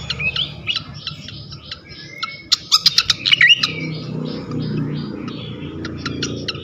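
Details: Flycatcher lure song played to provoke rival flycatchers: a run of clipped whistles and chips, a long level whistle, then a dense burst of sharp clicking notes before the singing trails into scattered ticks.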